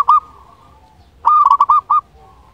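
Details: Local Zebra Dove in strong voice, used to excite quiet doves and raise their breeding drive. A single loud coo, a second of near silence, then a quick, rolling phrase of four or five bright coos.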